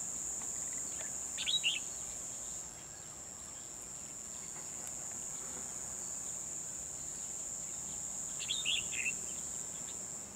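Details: Red-whiskered bulbul used as a decoy during trapping, 12 December 2020, singing to draw wild rivals: two brief, quick warbled phrases far apart, nearly swamped by a continuous shrill insect drone.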